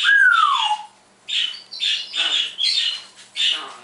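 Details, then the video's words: Indoor pet parrot mimicking in the morning: a clean whistled note gliding smoothly downward, then a string of five raspy, high squawk-like phrases with brief pauses between. "Noah Does Sound Effects"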